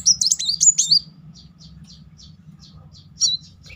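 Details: Van Hasselt's sunbird, recorded as a singing lure in the 'nembak' rapid-fire style: a second-long burst of sharp, high, swooping notes, then scattered faint high ticks over a low background hum.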